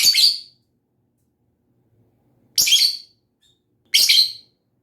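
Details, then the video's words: Lovebird giving three loud, harsh, wide-band screechy chirps, each about half a second long, spaced irregularly with silence between. "Lovebird SINGING and CHIRPING sounds"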